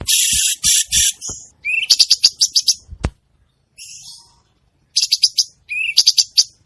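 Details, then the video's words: Actively singing (gacor) cucak cungkok bulbul: harsh buzzy bursts, then a rising whistled slur into rapid clicking trills, a pause, then further chattering trilled phrases; faint low knocks early on. "burung cucak cungkok gacor"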